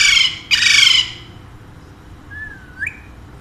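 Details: Two rapid, rasping squawks from pet Alexandrine parakeets, a pair whose owner says they speak Urdu and Hindi, followed after a pause by one soft whistled note that dips and then rises.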